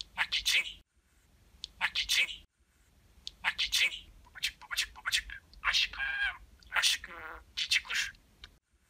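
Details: Pet budgerigar imitating human talk with many kissing noises: long runs of whispery, sibilant word-like syllables in bursts, with buzzy trilled passages and brief clicks between phrases.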